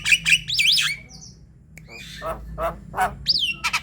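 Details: Javan myna sound aimed at luring other mynas into song: a burst of looping high squeals, a pause, then low harsh squawks and a final rising-falling whistle.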